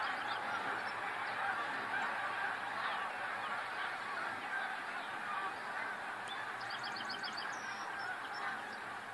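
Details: Snow geese in a huge flock, 28 February 2013: continuous layered honking from many birds, with a short run of rapid high yelps near the end.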